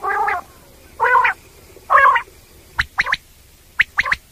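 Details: Common quail (batair) sounds used for night hunting: three hoarse, nasal harmonic croaks about a second apart, then two sharp whistled three-note phrases.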